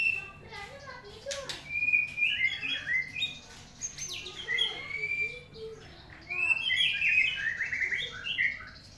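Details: Morning song of a white-rumped shama: busy, varied high whistles and trills in bursts, with brief pauses between phrases, plus a few sharp clicks and low background hum.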